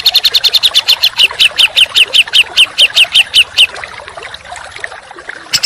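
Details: Contest-bird training song of a songbird, in rapid coarse 'tembakan' style: a regular series of sharp, high chipping notes about two to three per second, fading into hiss, then a final short burst.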